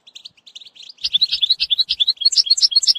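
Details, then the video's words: European goldfinch song for training a young finch: soft scattered twitters swelling into loud, fast, tinkling chatter of varied high notes with faint low taps beneath. "#chantchardonneret ecolage chardonneret"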